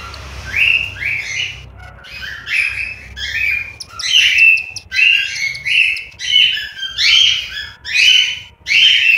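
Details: Several cockatiel chicks in a nest in Juazeiro do Norte, Ceará, calling with rasping, upward-sweeping notes repeated roughly every second, growing louder toward the end.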